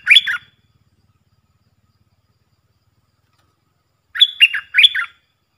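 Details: Call of a decoy Puff-throated bulbul for teaching young birds: one short chirp at the start, then after a pause of almost four seconds, three quick up-and-down warbled notes.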